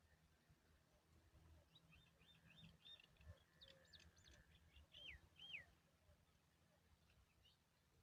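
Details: Begging of a hungry woodshrike chick attended by its parent: soft, high chirps in loose runs, then two clearer downslurred notes, faint against a steady background hiss.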